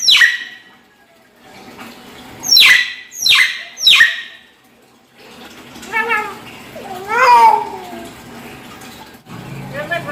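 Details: Hill myna imitating a child's voice: four loud, sharp descending squawks, then wavering child-like voice phrases rising and falling in pitch.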